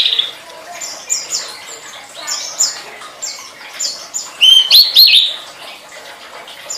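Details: Songbird-training master of tledekan song: scattered high chirps and short twitters, building to a loud cluster of sharp whistled notes near the end.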